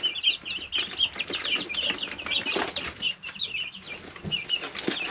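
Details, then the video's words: Dense chorus of shrill peeps from three-week-old brooder chicks, overlapping and continuous, with pecking clicks and litter rustle underneath. "Just Chicks - Life in the Brooder"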